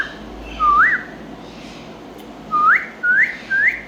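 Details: Green Indian ringneck parakeet giving four short, clear, rising whistles: one alone near the start, then three in quick succession about half a second apart toward the end, over a low steady background hiss.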